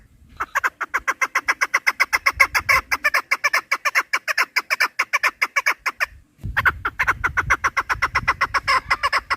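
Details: Rapid chattering chukar partridge call series, notes tumbling out nearly three per second, with a low rumbling background that grows after a brief pause near the end. From a partridge-hunting recording.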